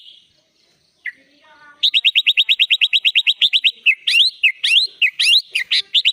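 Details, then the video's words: Sooty-headed bulbul in energetic song packed with inserted imitated phrases, recorded as tutor material: a faint whistle and soft descending notes, then a rapid run of sharp, evenly repeated high chips, breaking into louder rising, slurred whistled notes. "SUARA BURUNG KUTILANG GACOR FULL ISIAN"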